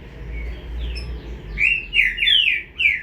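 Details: Chick of the green-winged saltator: faint thin notes at first, then a burst of five strong downslurred notes in the second half, with low rumbling background.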